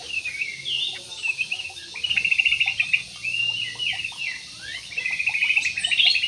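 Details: Jumbo parakeets kept in an aviary in Indonesia, a busy chattering of short rasping chirps and twittering notes that rise and fall in bursts, several birds calling over one another with a steady background hiss.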